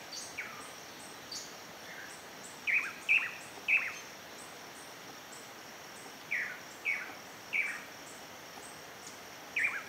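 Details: Pallid spinetail building its nest, oddly well outside the usual breeding season: short sharp descending chips, mostly single or in quick pairs and triples, scattered across the clip, over a steady high insect buzz.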